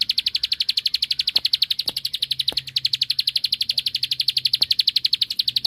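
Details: Bar-winged prinia (ciblek sawah) pouring out a rival-provoking song: a continuous, evenly paced stream of sharp high notes, roughly three per second, with faint clicks behind.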